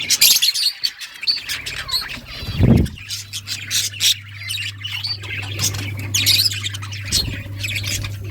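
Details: A breeding group of budgerigars chirps and squawks in busy overlapping bursts, shrill and high, with a brief low knock and a humming background.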